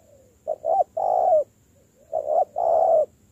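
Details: Spotted dove undergoing decoy training gives two low, mellow coo phrases, each made of quick clipped notes leading into a longer sustained hollow note, separated by a short pause.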